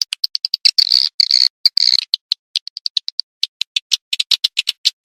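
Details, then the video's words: Edible-nest swiftlet call played to attract birds, heard as a series of sharp, evenly spaced clicks broken by a few brief buzzy trills early on. "SUARA PANGGIL BURUNG WALET"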